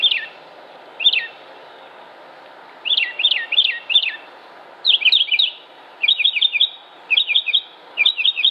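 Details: Northern Mockingbird from Concord, North Carolina, United States, 07-06-2016, singing sharp descending chirps, first singly, then in clusters of three or four repeated notes, each group separated by brief pauses.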